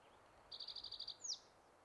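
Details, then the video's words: Male spotted towhee singing on territory at Metcalf Wildlife Management Area, Nebraska, on May 23, 2023: a quick burst of about eight high, evenly spaced buzzy notes, then a sharp downslurred note, over a quiet background hiss. "Male spotted towhee singing on territory at Metcalf WMA"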